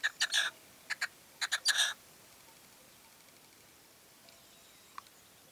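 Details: Male red-legged partridge calling in late evening light in La Serena, Extremadura: a short burst of harsh, rhythmic chuffing notes in two groups within the first two seconds, then near silence with one faint click.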